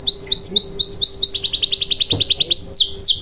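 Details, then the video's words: Canary singing as a lure to prompt a silent canary to sing, a series of bright descending whistled notes accelerating into a fast even trill of downslurs, with a faint low hum behind. "Pancingan Burung Kenari Macet Bunyi Agar Cepat Gacor"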